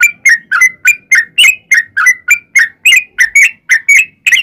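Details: Sooty-headed bulbul singing a fighting song to provoke other bulbuls to answer: quick sequence of ringing whistled notes, some doubled, about three a second.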